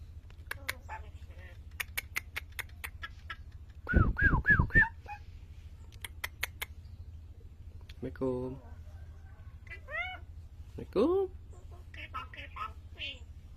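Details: An Asian pied starling learning to talk gives a varied mix: crisp clicks, a loud harsh burst of rapid nasal notes, gurgling phrases and several rising then falling whistled slurs, ending in thin squeaky chatter. A steady low hum sits underneath.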